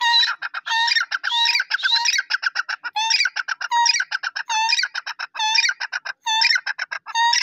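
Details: Pakistani black francolin giving dense, continuous calling: grating buzzy phrases with low harmonic starts and rising rasping notes. Phrases follow one another closely over several seconds, almost without pauses, in a clean, quiet setting.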